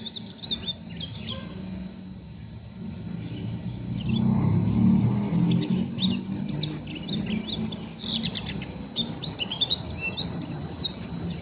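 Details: Oriental white-eye, an untrained raw bird, giving a rough chattering 'ngeriwik' song: faint scratchy notes at first, then sharp high chirps and twittering trills clustering toward the end over a steady low rumble.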